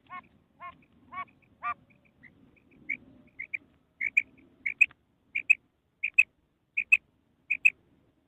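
A quail gives sharp, high whistled notes in quick pairs, repeated steadily, after a few lower nasal calls.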